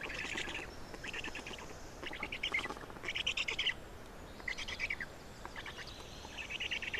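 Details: Black storks feeding at a nest in Estonia, 27 May 2019, 10:39; repeated bright bursts of fast, squeaky pulsed calls, about seven bursts with short pauses between them.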